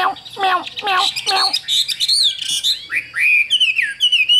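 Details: Chinese hwamei in a cage, a tireless singer that keeps going while its cage is lifted, opening with harsh, nasal, squawking phrases before switching to loud, bright, rising and falling whistles.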